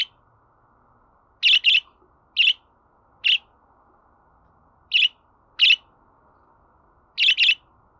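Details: Budgerigar sounds for playback to pets: bursts of harsh, buzzy chirps, single and paired, at uneven gaps of about one second against a faint hum.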